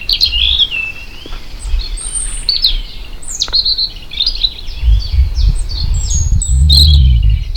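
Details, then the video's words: European robin in Vendée marsh and bocage country sings a rapid, varied run of thin, high whistles and sparkling trills, pitch jumping between phrases. It was recorded with a parabolic dish, with a low rumble swelling near the end. "Écoutez ce rouge gorge."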